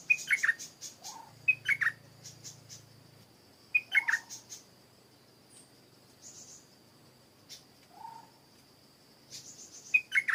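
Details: Stripe-throated bulbul (นกดอกแตง) singing in a garden where the owner reported a good singer. Short bubbly three-note phrases, dropping and rising, repeat several times over ten seconds, with thin high chirps and a steady high insect hum behind.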